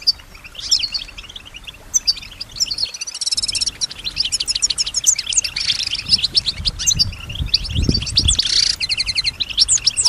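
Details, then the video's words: Pet female European goldfinch singing with imitation of surrounding sounds: long, busy stream of rapid twitters, trills and buzzy notes, with low rumbling noise in the background. "Solutions to keep your goldfinch healthy and singing with strong stimulation"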